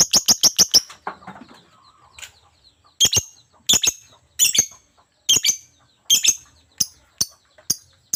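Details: Lovebird giving a burst of sharp, shrill clicks, then piercing squeaky shrieks repeated about every three-quarters of a second, with short quiet gaps between the bursts.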